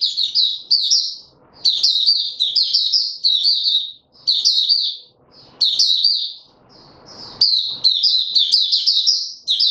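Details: White-eye kept in a cage and pushed on form, delivering long runs of rapid, high, sweet twittering warbles, phrases broken by short silences, with faint rustling noise in the gaps.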